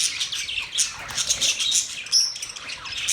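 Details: Budgerigars chatter rapidly in squeaky, buzzy notes, with one clear, pure whistled note standing out past the two-second mark.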